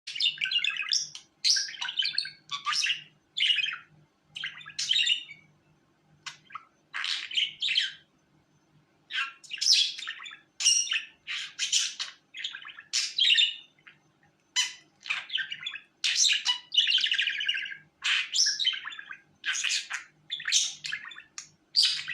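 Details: Budgerigar (Melopsittacus undulatus), warble.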